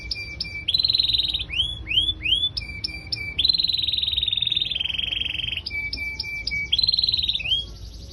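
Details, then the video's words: Canary singing in full voice (kenari gacor): a loud, continuous song of rapid repeated notes, sustained buzzy rolls and downslurred whistles, changing phrase every second or two, with a quiet background. "burung kenari gacor"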